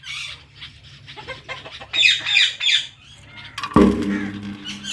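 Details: Two pet Indian ringneck parrots, one blue: rough squawks and chatter build to a loud burst, then a sharp knock or thud sounds near the end.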